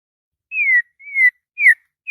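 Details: White-rumped shama in morning song, showing emotion: three clean, slightly descending whistles spaced about half a second apart, followed by the start of a fourth note.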